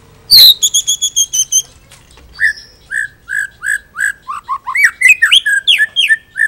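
White-rumped shama in full song: a loud harsh opening note, a quick burst of ringing repeated notes, then varied rich whistles, slurred up and down, in rapid succession.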